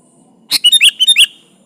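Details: Sooty-headed bulbul in full song, luring a rival: a single quick phrase of about six bright, clipped chirps and whistled slurs, rising and falling in pitch, over faint background hum.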